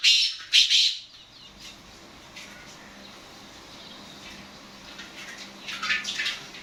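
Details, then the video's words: Black francolin (kala teetar): two loud rasping notes open the recording, followed by a quieter stretch with faint scratchy calls and a few harsher notes toward the end. "Black Francolin Calling"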